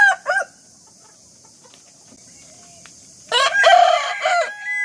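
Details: In the morning a rooster ends one crow with two short notes, then after a quiet stretch gives a long, loud, strongly harmonic crow that tails off into a drawn-out final note.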